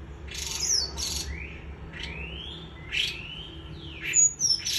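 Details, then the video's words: White-eye giving líu choè song: high broadband chips mixed with long upward-sliding whistles, then a brief cluster of piercing high twitters near the end, over a soft low background rumble. "Khuyên líu choè"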